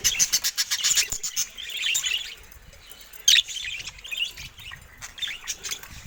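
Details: Caged budgerigars going after a camera make a series of quick clicks, then soft squeaky warbles, one loud snap and scattered chirps.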